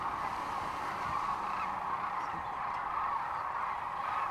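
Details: Sandhill cranes gathered at Rowe Sanctuary near Kearney, Nebraska, March 13, 2014, heard as a thick wall of rolling bugling calls, many birds at once, with a few louder calls rising above the steady chorus.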